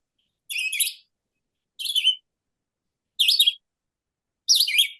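Red-eyed Vireo singing short, slurred, robin-like phrases, four separate phrases each about half a second long, spaced over a second apart, alternately rising and falling.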